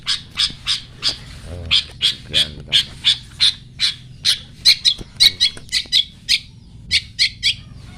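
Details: Long-tailed shrike giving its "toet toet" song, kept as a master recording for teaching songbirds; short sharp notes repeated steadily about three per second, some with a slurred ringing quality, over low background hum.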